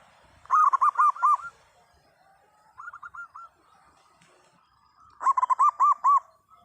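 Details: Loud local zebra dove song: three bursts of rapid rounded cooing notes, a longer run, a short quieter phrase, then another fast run, separated by pauses of quiet background.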